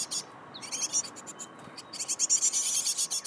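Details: Great tit parent luring fearful fledglings out of the nest hollow with food: rapid, high, buzzy bursts, repeated several times a second, with a brief high whistle near the start.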